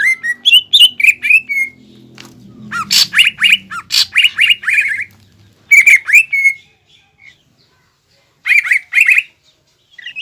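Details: Green leafbird in vigorous song with imitated fighting phrases such as sparrow and prinia calls, used to provoke an opponent; bursts of rapid squawky chirps separated by pauses, with a low hum underneath early on.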